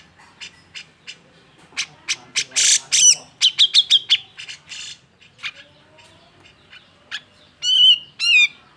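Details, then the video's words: Grey-cheeked bulbul giving an agitated, emotional song meant to provoke other birds into singing: scattered sharp chips, then a dense run of harsh broadband bursts and whistled notes, ending in two loud rising-falling whistles. "Gunakan Suara Jenggot EMOSI ini untuk MEMANCING CJ yang MALES BUNYI"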